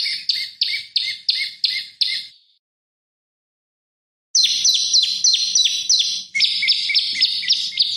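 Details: Olive-backed tailorbird giving a lively lure song meant to provoke rivals and tutor oriental magpie-robins: fast repeated piercing chips in a run, a silent break of about two seconds, then a resumed series shifting to a slightly lower, tighter note pattern.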